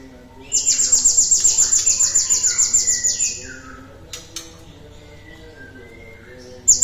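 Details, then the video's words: Cinereous tit singing as a lure for other birds: a bright, high-pitched, fast trill of evenly spaced sharp notes lasting about three seconds. Quieter descending chirps from other birds follow, then a brief restart of the trill. "PANCINGAN TER-SUPER GLATIK BATU GACORNYA ISTIMEWA"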